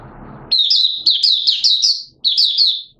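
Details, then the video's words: Oriental white-eye from Malaysia, caged and in minor moult, 2 April 2023, singing buka sing: a long run of bright, high, bouncing twittered notes, a brief break, then another twittering phrase after low rumble. "Malaysian Mata Puteh Buka Sing"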